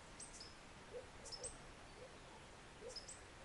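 Mexican violetear giving faint, high, dry chips in small clusters, with softer low notes at roughly one-second intervals, over steady background hiss.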